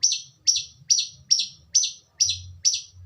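A long-tailed shrike repeats a harsh, scratchy high chirp about twice a second, eight times in a steady run, over a faint low hum.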